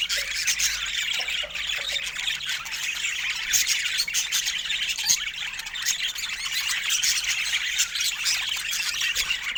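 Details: Budgerigars chirping: dense, continuous high-pitched chatter and squawks from several birds overlapping, with no pauses.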